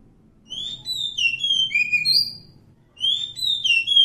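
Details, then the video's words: Oriental magpie-robin in the wild delivers a long run of fluty, sliding whistles, pauses briefly, then starts another phrase, with a low rumbling background throughout. "suara asli kacer hutan"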